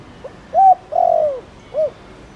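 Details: A single Thổ Đồng phrase from a spotted dove, meant to stimulate other doves to coo: faint lead-in, clear short hoot, a long falling coo and a short end note.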